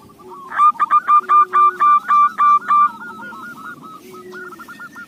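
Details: Local zebra dove song, suited for luring, opens with a loud burst of about nine evenly spaced, ringing cooing notes, then softer rolling coos trailing off over a low steady background hum.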